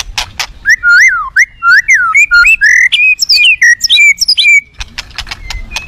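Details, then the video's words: White-rumped shama singing aggressively to provoke other shamas: a loud run of clear whistled notes, many swooping down then up, delivered in quick succession, ending in short sharp clicks. "bergaya agresif kicaunya mendongkrak murai lain"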